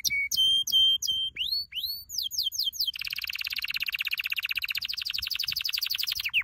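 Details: Canary song for training: clear repeated whistled notes and swooping upslurs, followed by a long, rapid, buzzy trill.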